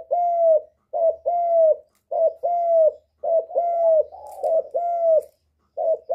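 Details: Spotted dove calling to stimulate other birds: low mellow coos in paired phrases, a short note then a longer down-curving hoot, repeated roughly every second with brief pauses.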